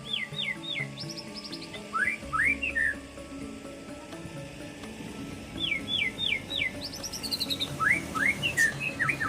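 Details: White-rumped shama singing clear whistled phrases: runs of quick descending whistles, then rising slurred notes and higher trilled notes, repeated in bursts over a steady faint hum and low background rumble.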